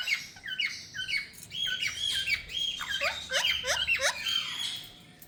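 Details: Ringneck parrot kept as a pet in India, talking nonstop: a fast stream of raspy, word-like syllables with downward-bending squawks and clipped notes, speeding up before trailing off into softer chatter.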